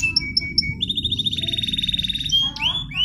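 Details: Canary song as contest material: three short high chips, then a steady rapid buzzy trill, ending in quick rising and falling whistled slurs, over low background noise.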